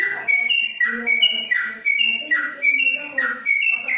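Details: Yellow-vented bulbul kept in a covered cage in Kebumen gives ropelan panjang song, a run of bright whistled phrases alternating high and lower notes, with faint low voices behind.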